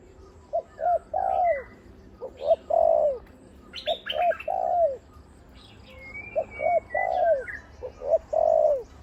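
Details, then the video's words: Decoy spotted dove cooing 'khu ang' almost continuously. Each phrase has two short notes and then a fuller coo that bends downward, repeated every two to three seconds. Other birds chirp and whistle in the background. "นกต่อVIP 1กุกเสียงใหญ่คูอ่างเกือบตลอด ต่อดิน ต่อกิ่ง ต่อเพนียด"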